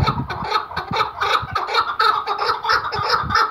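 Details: Iraqi hunting chukar partridge giving steady rasping chuk calls, about three a second, with low thumping knocks and handling noise underneath.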